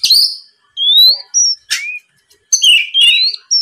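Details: Oriental magpie-robin song played to provoke rival birds into singing: clear, slurred whistles rising in pitch, interspersed with short buzzy, scratchy notes, in spaced phrases with brief silences.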